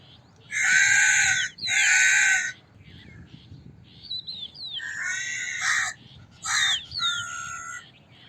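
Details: Crow giving a pair of loud, grating caws, then a quieter spell of small-bird whistles, followed by two more rough caws.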